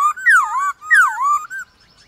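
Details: White-cheeked laughingthrush singing against wild birds in the morning: two loud swooping whistled notes, each rising sharply then dipping, followed by a short soft whistle.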